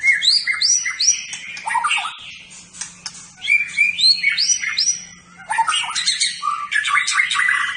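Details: Champion white-rumped shama, a caged competition bird, singing a long varied medley of repeated rising whistles, harsh bursts and rapid chatter, with a faint hum in the background.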